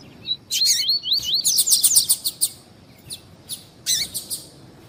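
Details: Tui-tui coleiro song for warming up birds: high swooping whistled phrases blended with rapid crackling chirps for two seconds, a pause, then a few isolated sharp notes.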